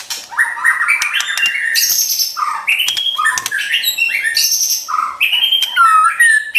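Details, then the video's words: White-rumped shama performing a champion's trotol song, used to provoke a pet shama into singing more: varied phrases of climbing whistles, high thin notes and quick buzzy trills in continuous bursts. "MASTERAN Trotol Murai Juara & Pancingan Ampuh Bikin Cepat Emosi & Tambah Gacor"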